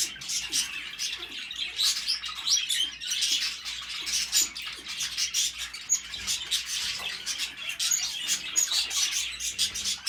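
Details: Two African grey parrots give dense, rapid high-pitched chirps and ticks while mating, a near-continuous chatter with no pauses and little else heard.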